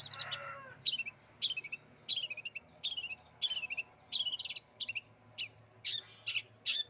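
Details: Long-tailed shrike mimicking a canary: short, squeaky, chattering phrases of high notes repeated about every half second, each a quick jumble of chirps, over faint low background hum.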